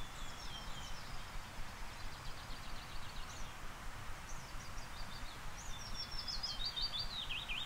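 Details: A Willow Warbler sings right outside a blind in an old Norwegian forest in warm spring weather: soft, high phrases trickling downward in a sweet cascade, repeated every second or two over a steady low rumble.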